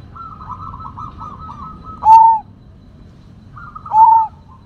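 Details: Sumbawa zebra dove singing strongly: a long, quick, stuttering trill of soft coos ends in a loud, pure, falling note, followed by a shorter trill and another loud closing coo, over steady low noise.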